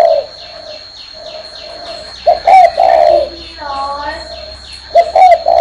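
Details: Spotted dove sitting on a hand and cooing: quiet low coos, then loud, accented phrases with a longer drawn-out note, with some brief higher chirps mixed in.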